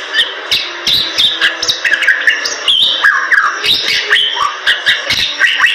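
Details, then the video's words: Bali myna in vigorous 'gacor' singing: clear whistles, twisting slurred notes and squawky bursts alternate, punctuated by crisp clicking sounds at short, irregular intervals. "Suara Jalak Bali Super Gacor"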